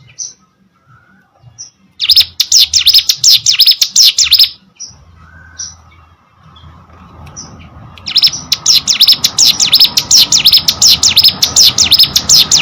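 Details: Hill prinia, its song given in full voice, opening with a few sparse high notes, then bursts of rapid, sharp chirping, a quieter noisy stretch, and a long dense run of repeated high zigzag notes.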